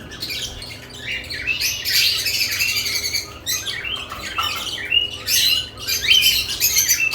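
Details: Several lovebirds busy at nest boxes, chattering in rapid, irregular high chirps and buzzy twitters that swell into loud bursts and fall back, with a few clear whistled notes.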